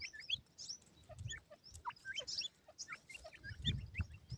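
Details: Captive white-plumaged grey francolin chicks toying with feed: a busy mix of high upslurred peeps and short twitters, accompanied by dull low bumps and rustling.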